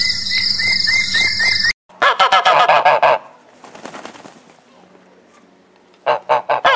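Geese give loud, nasal honks in quick bursts of several notes, with a pause before a final run; a brief tonal sound opens the recording.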